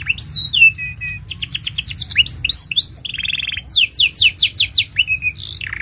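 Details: Canary singing a long, lively master song used to train young birds: rapid series of rising and falling whistled notes, buzzy trills and repeated sweeping syllables in quick bursts, with a steady low hum underneath.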